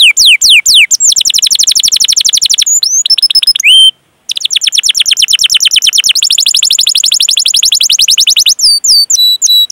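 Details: Long-singing canary used as a lure for young and silent canaries: extended rapid high trills rolling for several seconds, broken by a short pause and a few bent whistles, then more dense trilling.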